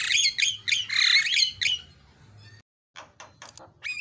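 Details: Javan myna song with isian fill-in notes, used as masteran training audio: harsh squawks and buzzy whistled notes in quick bursts, then a short pause and scattered sharp clicks and a rising whistle.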